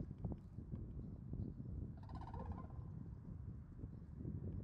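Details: A red-crowned crane from a family on the Ganghwa Island tidal flats gives one brief, nasal, trumpeting note halfway through, over a steady low rumble of wind.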